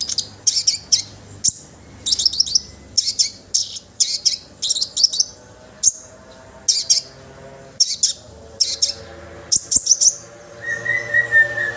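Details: Orange-headed thrush in full song, used to get other birds singing: short high chattering bursts repeated about every second, later joined by a thinner, lower drawn-out whistle near the end.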